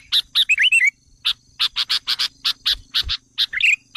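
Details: Lure recording of sooty-headed bulbul used to stir up wild birds: a short run of slurred chirpy notes, then a steady series of sharp clipped chips about every quarter second, ending in another warbled phrase.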